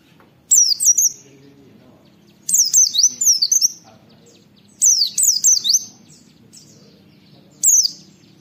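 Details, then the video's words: Oriental white-eye 'wit wit' calls for training other white-eyes: four clusters of high, downward-sliding whistled notes, roughly two seconds apart, with the last a single note. "Masteran Pleci Nembak Wit Wit Mudah ditiru, semua pleci terpancing ikut Nge witwit"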